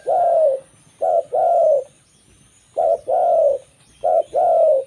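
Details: Zebra dove of local origin singing to lure other zebra doves; clean doubled coos, short then long and gently falling, with a pause midway and quiet surroundings.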